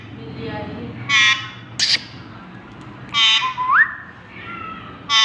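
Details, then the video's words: Pet parrot imitating a horn: short, harsh, harmonic honk-like bursts roughly every two seconds, one ending in a rising whistled glide, with quiet speech in the background. "New horn sound invent my parrot making mood"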